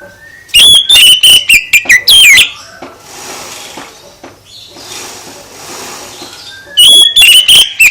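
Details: Oriental magpie-robin delivering provoking song that prompts other birds to reply. An opening two-second run of loud whistles slurring downward, then hissy quiet, then a fresh whistled burst at the close.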